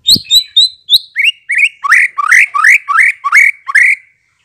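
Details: Lure recording of white-rumped shama song meant to draw replies: a few high clear whistles, then a steady series of loud rising-and-falling slurred notes, about three per second, ending abruptly.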